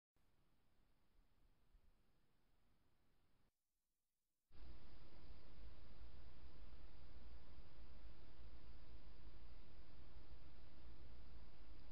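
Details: Steady low hiss and rumble of broadband noise, a brief near-silent gap, then louder continuous static with no animal calls.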